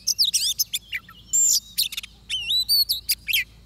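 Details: An Oriental magpie-robin sings near a trap in Vietnam, mixing buzzy high chatter with long pure whistles and rolling, wavy notes in quick succession, with a faint hum in the background.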